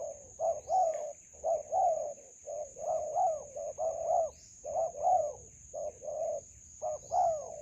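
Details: Spotted dove in a melaleuca grove, where a decoy is used for trapping, delivers rapid runs of paired and tripled coos, some rising then falling, with brief pauses and a constant thin tone overhead.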